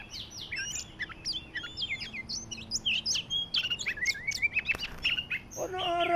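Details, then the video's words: Kacer Medan magpie-robin, used as a lure for catching birds, pours out a dense run of quick whistles, slurred notes and harsh chatters. The phrases tumble together closely and end in a scratchy, rasping burst. "PIKAT BURUNG KACER MEDAN FIGHTER MANTABS"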